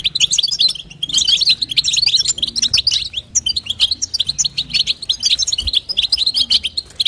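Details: Calling female European goldfinch, meant to stimulate the male, producing a steady stream of sharp, sweet chirps and fast twittering phrases with barely a gap between notes.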